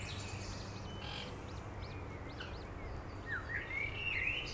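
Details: Eurasian coot (Fulica atra) family with seven chicks in Beverwijk, Netherlands: faint thin peeps, then a few sharp, squeaky calls near the end, over a steady low rumble.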